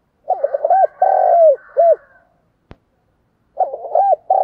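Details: Lure recording of a spotted dove in the thúc gù style, giọng thổ voice, meant to stir wild doves; a deep wavering coo run into a long coo and a short coo, a single sharp click, then the phrase starts again.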